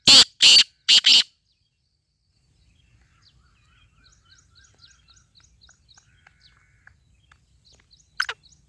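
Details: Black francolin, known locally as Sindhi teetar, giving three loud, harsh, grating notes in quick succession, then a long pause with faint, high chirping of small birds and one last rasping note near the end.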